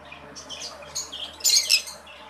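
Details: Green-cheeked conure breeding pair, red-bellied form: a short series of scratchy chirps ending in a louder harsh squawk.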